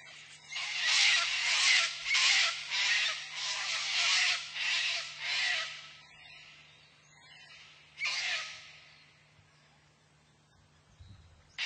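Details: Wild sulphur-crested cockatoos (Cacatua galerita) foraging and feeding in Australia give a quick run of harsh, grating screeches for about five seconds, then two single screeches after a pause, over a faint low hum.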